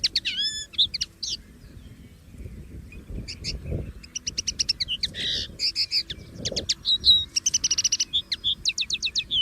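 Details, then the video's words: Wild common linnet singing freely in nature: a rapid, jumbled stream of high twittering notes, short buzzy trills, clicks and down-slurred whistles, continuing almost without a break, over faint low background rumble. "CANTO DO PINTARROXO Comum LIVRE na Natureza"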